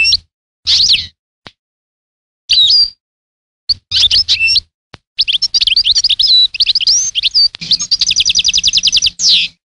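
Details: European goldfinch song starting with separate bursts, then a sustained run of tinkling twitters that ends in a rapid buzzy trill of repeated notes.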